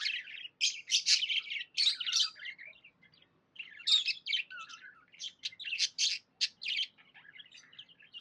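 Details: Cheerful pet budgie chirping in rapid runs of bright, scratchy notes, dense squeaky clusters alternating with softer twittering and a short silent pause.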